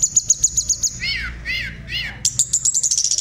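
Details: Tutor song of a hill blue flycatcher for teaching kept birds varied phrases: a fast run of thin high ticks, three drawn-out descending slurred whistles, then another quick high chattering series.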